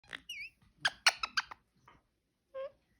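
A parakeet chatters: a quick rising-and-falling whistle, a burst of harsh, scratchy chirps, then one short nasal note after a pause.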